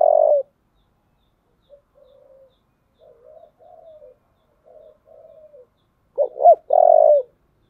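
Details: Spotted dove with a 'giọng thổ' low voice, calling to provoke a fight: a loud coo, a run of faint, muttered coos, then two sharp looping notes ending in a long, strong coo.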